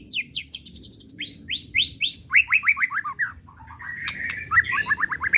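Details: Pastol-type white-rumped shama singing as a lure: long runs of quick descending whistled notes in even series, then a buzzy phrase and a final run of rapid falling notes.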